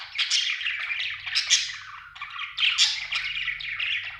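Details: Budgie chirping in two lively bursts of squeaky, buzzy chatter with sharp high accents, separated by a softer, quieter warble in the middle.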